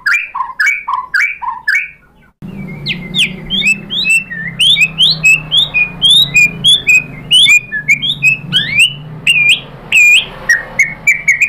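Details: White-rumped shama, locally murai batu, in a lively, varied song used to provoke other birds into answering: rapid series of short whistled and chattering notes, many rising or dipping sharply, with a steady low hum in the background.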